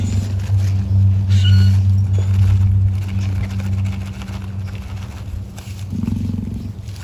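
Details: An emu at an animal park gives a deep, droning, dinosaur-like rumble, held low and steady for about six seconds, then ends in a brief rougher snort while grooming itself; faint outdoor background.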